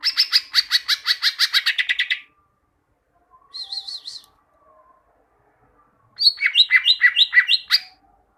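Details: Greater green leafbird training song for caged birds: a rapid rattling series of about fifteen notes, a short wavering whistle, then a quick string of bright chirps.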